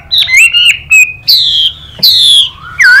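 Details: Chinese hwamei, with a female bird calling alongside, in a strong duelling song. Long, clear whistles are held and then swept downward, interleaved with brief chirps in a halting rhythm.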